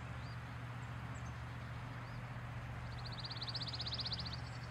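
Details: Pine warbler singing: a rapid, even trill of high notes lasting about a second and a half, over a steady low rumble of traffic noise.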